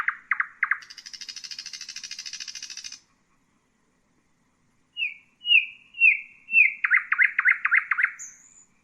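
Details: A common nightingale sings a few hard notes, then a long buzzy trill lasting two seconds, a pause, then slurred descending whistles and a rapid rattling phrase ending in a high thin note.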